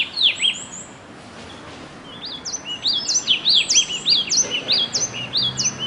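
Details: A single bird's song, a short burst, a quiet gap, then a rapid series of sharp, high descending whistled notes against constant low noise.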